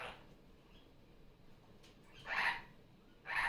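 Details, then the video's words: Pet female superb parrot, newly off her nest, calling during Sunday morning play indoors. Two loud, rough squawks about a second apart follow a quiet stretch with faint room noise. "Barraband parakeet sounds. Sunday morning playtime."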